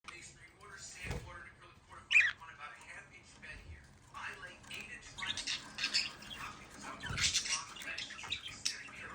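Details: Young budgerigars on their first day in a new home chatter in fast, scratchy warbles and sharp chirps, with a person speaking nearby.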